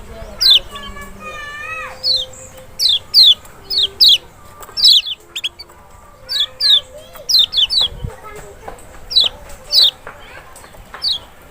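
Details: Lemon-bellied white-eye (Lombok or Sumbawa kecial) used to prompt a reluctant bird: many quick falling high notes in irregular bursts, overlaid with lower warbled and steady whistled tones in the background.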